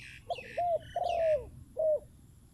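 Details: Zebra dove, a decoy bird in a wild-bird contest, gives short mellow coos: two clipped notes, then a longer falling coo and a final note, all clear over quiet background.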